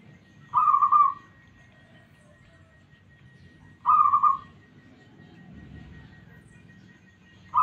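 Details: Zebra dove of a local Indonesian strain, prized for a smooth voice and used to draw other birds into song. Brief rolling, vibrating coos come at regular intervals above a low rumble.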